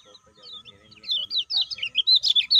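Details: Caged lemon-bellied white-eye used to coax other birds into calling, starting with soft notes and building into loud, rapid, high slurred chirps, with a faint steady hum behind.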